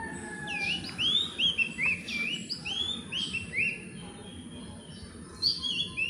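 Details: Philippine magpie-robin singing briefly from a perch while gathering nest material, possibly claiming territory; rich whistled song of many quick curving notes in dense clusters, a pause, then a final short burst, with soft steady background noise.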